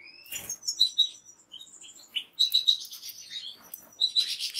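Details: Goldfinch phrases of quick, bright, clipped notes given in short series, mixed with thin sustained tones and a buzzy burst near the end.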